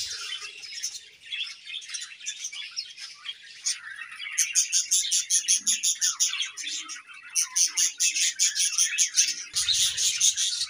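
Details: Budgerigars in a colony chirping as they eat: busy overlapping warbles and twitters, then a run of rapid, regularly repeated sharp chirps from about four seconds on, with a soft low thump near the end.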